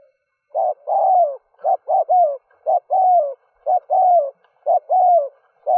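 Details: Spotted dove decoy cooing to lure wild doves in early morning: a steady series of low hollow coos, a short note followed by a longer falling coo, repeated about once per second, clean with no other sounds.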